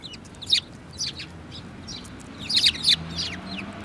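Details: Sparrows, including a yellow-beaked bird, 24 February 2018. Chattering chirps come in two bursts, the second a rapid cluster of four or five notes, over low background noise.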